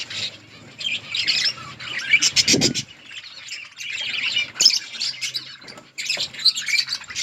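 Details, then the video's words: Eating budgerigars in an outdoor colony chirp in bursts of high warbled chatter separated by brief quieter gaps, with one low thump midway. "Budgies parrot eating and chirping sounds budgies birds in budgies outdoor colony"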